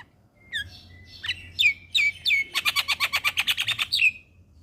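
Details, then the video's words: Javan myna masteran singing, a tutor recording for young mynas: several sharp downslurred whistles, then a fast even series of about a dozen harsh chattering notes, ending in a final slurred whistle. "Masteran Burung Jalak Paling Ampuh Bikin Jalak Muda gacor Full isian"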